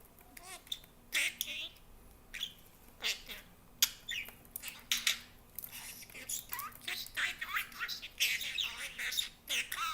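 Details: A pet budgerigar talks in rapid, scratchy, speech-like bursts mixed with chirps and squawks; recognisable Serbian words include "Bebo", "Dođi", "Seko" and "Dušo".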